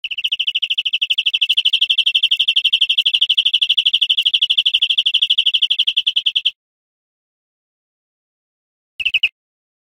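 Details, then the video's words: Teaching recording of greenfinch song for caged birds: a sustained fast trill of high, slightly buzzy notes lasting over six seconds, followed after a pause by a short burst of the same notes. "Canto Verderon"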